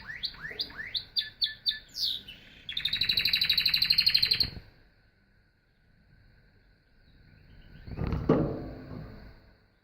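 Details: Canary delivering a string of sharp descending chirps, then a loud fast pulsing trill lasting about two seconds; after a quiet gap a brief low thump or handling noise is heard.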